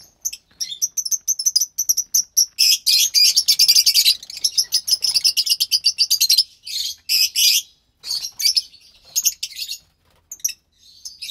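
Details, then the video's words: Two lovebird chicks, offspring of white pastel violet and pastel mauve birds, March 3rd, 2021; fast rattling series of high, raspy chirps building to a dense loud burst, then broken squawks and pauses. "Two Lovebird Chicks From White Pastel Violet & Pastel Mauve"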